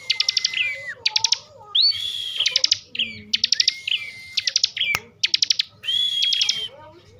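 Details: Kept bar-winged prinia from Slawi, Tegal, Central Java, singing in agitated ngebren style: bursts of rapid, rattling buzzy notes alternate with long, level high whistles that slide down at their ends, phrases about a second apart, with one sharp click.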